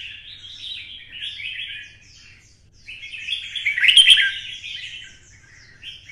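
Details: Vietnamese caged red-whiskered bulbul singing a twisting fighting song after being stimulated: busy, scratchy warbled phrases swelling to a loud climax around four seconds, then fading into quieter twittering.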